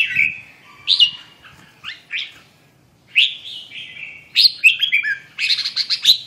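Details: Red-whiskered bulbul song of short, clear, whistled phrases, each a quick warble with rising and falling notes, separated by brief pauses and ending in a rapid burst of notes.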